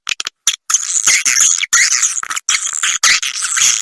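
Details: "Ratu Birahi" roosting lure of edible-nest swiftlets, meant to draw swiftlets to roost: a few clicks, then long, shrill, raspy twittering phrases running almost without pause.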